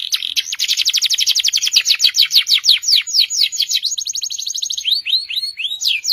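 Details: Long, unbroken canary song in the gacor panjang style for bird training: a rolling trill of rapid downward-sweeping notes about twenty per second, ending in a few looping rising whistles.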